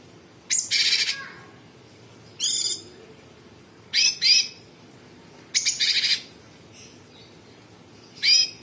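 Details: Sooty-headed bulbul singing in rough, rapid phrases: harsh, buzzy, grating bursts about a second long, separated by short gaps, with a few thinner notes between them.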